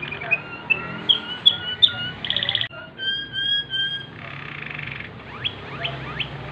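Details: Waterslager canary at night: a run of sharp chirps, a short rattling burst, level whistled tones, another fast trill, then a few rising slurred notes.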